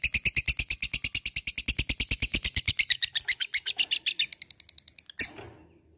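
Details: Labet calling an opponent: a long, even stream of loud, dry, high ticking notes, roughly seven a second, that slowly weakens and breaks up, then a single sharp click near the end.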